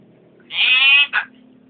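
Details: Talking hill myna copying the shouts of street vendors who pass the house each day. A bright, buzzy, voice-like syllable lasts about half a second and is followed by a brief second note, over a low steady hum.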